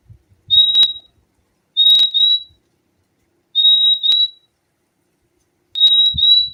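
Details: Clear high whistles from a fim-fim (purple-throated euphonia), four level notes roughly two seconds apart, some doubled, with a few low thuds at the start and end.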